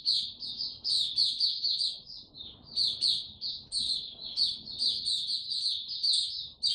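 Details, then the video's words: Rapid, high twittering song of a white-eye in warm, very humid weather, phrases of quick chirps separated by short gaps, with a faint low background hum. "Mata Puteh Hercules buka sing warm n very humid weather"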